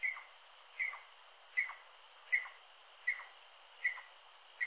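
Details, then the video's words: Rufous-necked wood rail, known locally as saracura-do-mangue, saracura-da-praia or siricoia-do-mangue: a faint series of sharp, high notes with short downward tails, evenly repeated about every 0.8 seconds over a quiet background. "CANTO DA SARACURA-DO-MANGUE, saracura-da-praia e siricoia-do-mangue"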